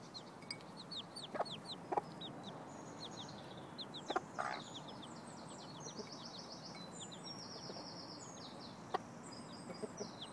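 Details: Chicks with their mother hen, who is teaching them to look for food. Quick high descending peeps crowd the first seconds, followed by scattered clucks and thin buzzy high-pitched sounds over a constant low background rumble.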